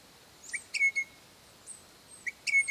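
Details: Crimson Rosellas, a pair calling to their young ones on a property. Clean piping whistles in two bursts: a brief clipped note leads into a sustained, steady whistled tone. Quiet, thin high squeaks are scattered between the bursts.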